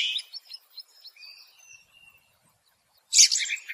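A ring ouzel gives faint, thin whistled notes and a drawn-out high tone, then closes with a loud, harsh, scratchy burst.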